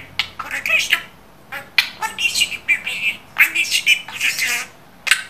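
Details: Pet budgerigar chattering human words clearly. Scratchy high syllables run together in quick bursts, mixed with a few squawky chirps, with short silences between phrases.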